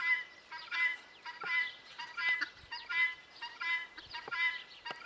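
Guineafowl give harsh, grating, two-part calls, repeated briskly about once a second in a steady, chattering rhythm, with several birds overlapping.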